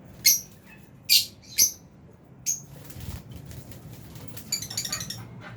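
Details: Lovebirds, albino and Fisher's, kept as a colony in an aviary at feeding time: four sharp, piercing single chirps spaced unevenly, then faint rustling and a soft cluster of thin twittering notes near the end.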